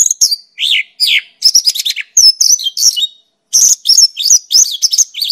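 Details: Rapid, varied Mongolian lark song packed with high chirps, buzzy downslurred notes and thin whistles in tight runs, broken by one brief pause midway, with no other sounds.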